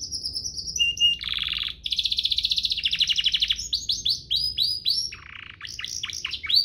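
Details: Master song of a canary, used to train young birds and to stimulate singing. Opens with a high thin whistle, shifts to buzzy rolls and a long, fast rattling trill, then a string of repeated downward-slurred notes.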